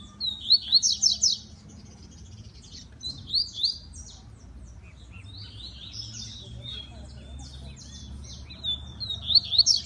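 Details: Caged double-collared seedeater from a Brazilian breeding facility sings fast, high phrases of sharp chirps and buzzy trills in three bursts separated by short quiet gaps, over faint low background hum.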